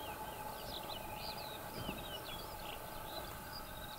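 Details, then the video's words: Eurasian skylark of the nominate subspecies Alauda arvensis arvensis singing on the ground, a continuous run of rapid, high twittering and slurred warbled notes, partly masked by heavy steady low rumbling noise. "Feldlerche am Boden singend"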